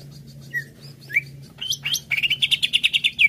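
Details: Singing greater green leafbird, meant to stimulate another leafbird to sing: a few separate slurred whistles and upward sweeps, then a quick, accelerating string of ringing chirps over a faint low hum.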